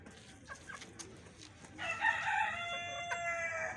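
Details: A rooster among hens crows in a long, steady, ringing call of about two seconds, rising then holding level, preceded by a few soft clucks.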